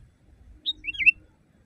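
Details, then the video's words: Single phrase from a loud sooty-headed bulbul recorded to tutor caged birds: a brief high whistle, then a liquid falling-and-rising warbled note, in quiet surroundings. "Masteran burung kutilang di tempat raja kutilang. Suara keras fulll alam"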